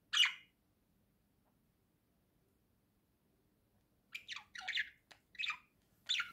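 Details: Caged budgerigar chatters from a swing: one sharp squawk, a long silence, then a run of five or six quick, scratchy chirps.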